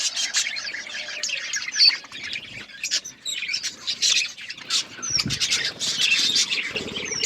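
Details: Colourful pet budgerigars chirping as a group: constant high twittering and scratchy squawks, with bursts of louder chatter and some rustling.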